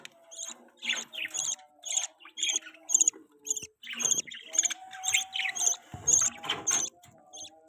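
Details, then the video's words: Baby budgerigar, a pet bird, chirping: harsh, raspy chirps repeated roughly twice a second throughout, each one broad and scratchy with a thin high edge. Faint rustling sounds fall in between. "budgie chirping sound"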